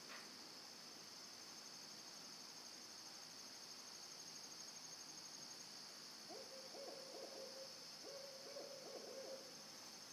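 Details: Two owls calling: after a long stretch of steady high insect drone, two bursts of rapid, wavering mid-pitched hoots arrive, each lasting about a second.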